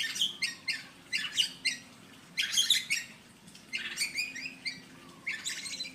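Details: Male white-rumped shama (murai blorok) courting a female: short bursts of rich, chattering high notes with sharp whistled accents, repeated roughly every second, over a low steady background hum.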